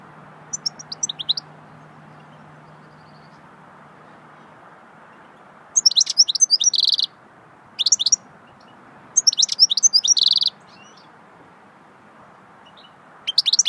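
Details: Goldfinch singing a swittey-style song: short bursts of bright, high twittering chirps, several ending in a buzzy rattling trill, separated by pauses of a second or more over a low steady hum.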